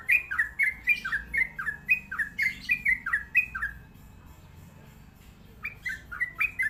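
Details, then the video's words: Sooty-headed bulbul singing a series of short, bright two-part notes, each a rising chirp dropping into a lower slur, repeated about twice a second, a brief pause, then the phrases resume; low background hum. "KICAU TRUCUK DJAWARA"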